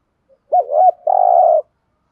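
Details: One low spotted dove coo for training decoys: an opening bouncy two-part note sliding into a long, steady, gently pulsing coo, otherwise quiet.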